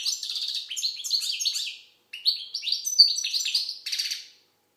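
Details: Algerian goldfinch song in two long phrases of quick, liquid twittering and sliding whistled notes, with a buzzy trill at the end, loud and close.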